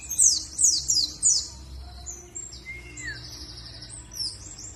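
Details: Warbling white-eye, Dakun type from Bondowoso, East Java, in luring song meant to get other birds singing. Four quick high descending sweeps open, then scattered thin high trills and one lower slurred whistle.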